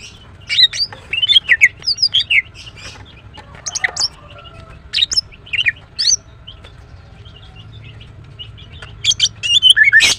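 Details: Female greater green leafbird chirping steadily: varied bright, twisting whistled notes and quick chirps in irregular bursts, with a louder rapid sequence near the end.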